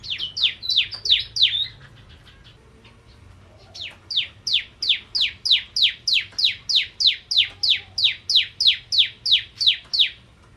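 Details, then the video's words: Energetic prinia lure song of the 'ciblek kristal' style: a brief burst of high slurred notes, two seconds of near quiet, then a long, even train of crisp downward-sweeping notes, roughly three each second. "Burung Prenjak Jawa Gacor Pancingan Ciblek Kristal"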